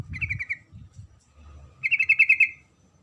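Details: Female sooty-headed bulbul calling to attract a male. A short series of four rattling notes is followed after a pause by a longer run of about nine quick, bright notes, over faint low noise.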